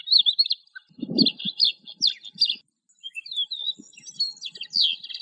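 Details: Lark song of fast high chirps and rolling trills, interrupted around one second by a low thud, then resuming as scattered bright whistled notes.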